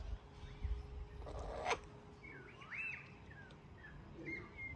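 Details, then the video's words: Laughing kookaburras, one apparently not wanting to share food, give soft, rolling chuckles and rising notes over a low background rumble, with one sharp knock partway through. "Kookaburra friends - I want more! No sharing!"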